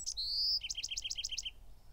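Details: Single Bewick's wren song phrase: a couple of sharp high notes, a smooth rising whistle, then a rapid series of about seven clipped two-part notes in a steady trill.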